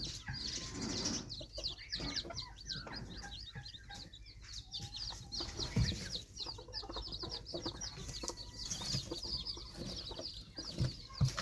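Red junglefowl chicks give a busy chorus of thin, high peeps, several each second and overlapping, over low scuffling and rustling.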